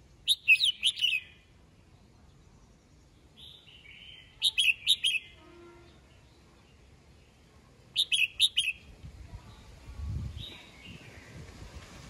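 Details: Red-whiskered bulbul singing in the morning, calling the flock: short bright bursts of quick chirpy whistled notes, three or four per phrase, given about every four seconds with softer notes between, over a faint low rumble.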